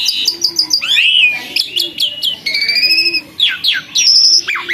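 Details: Asian pied starling, formerly skittish but now tame and singing persistently: a dense, rapid medley of high whistles, trills, sweeping slurs and harsh chirps with barely any pauses.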